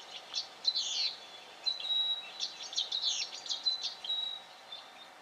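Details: In Victoria, Australia, October 2011, a black honeyeater calls: fine, flat high-pitched whistles alternate with busy clusters of sharp, buzzy chatter, rising and falling in loudness, over a soft steady hiss.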